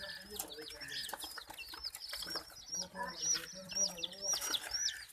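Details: Domestic chicks, terrified while being attacked by ducklings and a puppy, give dense high-pitched chirps, many overlapping short peeping notes repeated rapidly, with lower murmuring and scuffling in the background.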